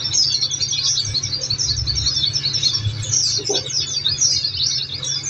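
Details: Oriental white-eye (pleci) song from a therapy training track meant to make kept birds answer: a continuous rapid stream of high, thin twittering chirps, densely overlapping throughout, over a steady low hum.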